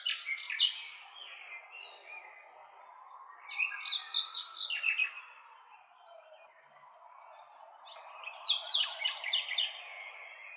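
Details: Nightingale song in three loud phrases roughly four seconds apart, each a fast run of sharp clicking and whistled high notes, with softer warbling in between.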